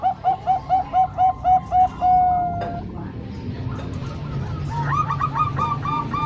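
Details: Bangkok and local zebra doves used to train young birds: a fast series of about nine evenly spaced coos, a long drawn note, a quieter gap, then another lively run of stacked coos over background rumble.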